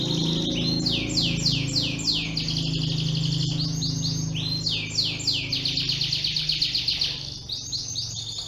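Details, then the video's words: Bottle-green canary singing vigorously, from Yogyakarta; long runs of rapid, high, rolling trill notes repeated about four times a second, over a steady low hum. "SUARA KENARI F¹SF GACOR RING JOGJA||TEMBAKAN JOSS CANÁRIO"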